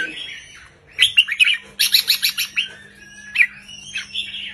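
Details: Short, easy counting-style 3-4-5 song of a red-whiskered bulbul, used to excite caged birds. Warbled whistles lead into a quick series of harsh rasping notes, then a clear slurred whistle. A low electrical hum runs beneath.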